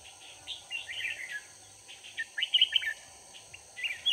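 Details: Decoy red-whiskered bulbul singing to draw wild bulbuls into a trap, 4 March 2019. It gives bright, rolling chirpy phrases in irregular bursts, loudest near the middle and end, with a constant high buzzing hum behind.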